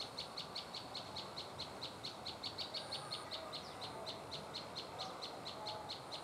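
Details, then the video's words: Prinia giving a long, evenly spaced run of high, sharp chips at a quick, steady pace over soft background hiss. "Prenjak Lumut"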